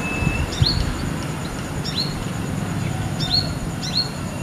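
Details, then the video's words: Young female Brown-throated sunbird perched on a guava branch in the wild on a village afternoon, singing casually, seemingly to call companions: thin, high, sharply down-slurred chirps, often doubled, about every 1.5 seconds over steady low traffic rumble. "Kolibri Manggar Gacor"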